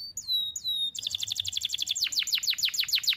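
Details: Tutor song of a canary for young birds: two drawn-out whistled notes open, then a rapid rattling trill of sharp descending notes that broadens and slows slightly toward the end.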